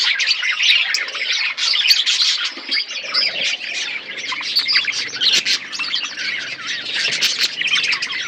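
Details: Budgerigars in an aviary with a forest setting, a colony chirping together: dense overlapping warbling chatter and sharp tweets with no pause, busy and continuous throughout.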